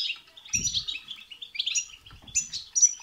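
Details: Short burst of European goldfinch song, bitbita and sitsita style, intended to excite a goldfinch to sing; dense twittering with high tinkling notes and two soft low rumbles.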